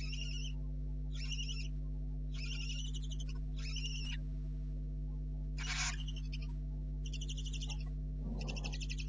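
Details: Barn owl owlets in a nest at night, 04:30 on 4 July 2013, thought to be down to two; a steady series of about eight harsh hissing snores, one louder burst mid-way, a soft scuffle near the end, over low hum.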